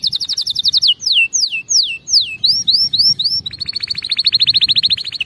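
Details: Training song of a canary for teaching correct singing: a rapid trill, a series of falling slurred whistles, then rising slurs, ending in a long even buzzy roll.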